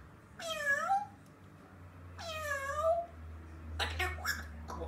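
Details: A pet grey parrot chattering to itself indoors gives two drawn-out, cat-like meows about two seconds apart, then a few short, breathy chattering sounds in a quiet room.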